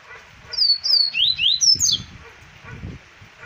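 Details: Double-collared seedeater singing in Arapiraca, Alagoas, in 2020. It gives a fast run of sweet, high whistled notes sliding down and up, with a few brief low rumbling sounds in the background.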